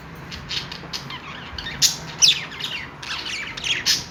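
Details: Budgerigars making happy sounds, scattered sharp squawks and chirps rising out of softer twittering, louder bursts near the middle and end, over a faint hum.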